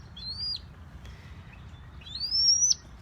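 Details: A zoo ambassador red-tailed hawk at a zoo in New Bedford, Massachusetts, on a cold Friday gives two thin, high, rising squeals about two seconds apart. It is excited and ready to eat food offered on the glove, over a low indoor rumble.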